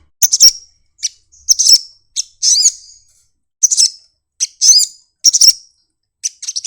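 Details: Sunbird singing while opening its wings: bright, very high chirps and thin trilled notes in short clusters, some with quick up-and-down sweeps, separated by brief silences.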